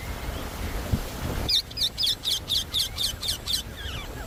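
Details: Indian ringneck parakeet giving about nine short, sharp repeated notes, roughly four per second. A second and a half of rustling noise comes before the calls.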